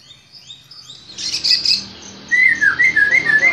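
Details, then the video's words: White-rumped shama provoked by a lure recording, letting out its song: thin high twittering notes and a loud burst of chatter, then a series of clear, wavering whistles repeated several times a second. "Murai batu ini bikin emosi dan bongkar isian seketika"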